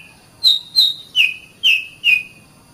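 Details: Oriental magpie-robin, kacer song used to train caged birds: five clear, loud whistled notes, each dropping slightly in pitch, spaced about every half second over a quiet background.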